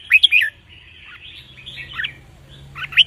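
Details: Red-whiskered bulbul counted-phrase song for teaching young birds; two loud ringing whistles open, soft chattering follows, a louder note mid-way, and a final bright whistled pair at the end.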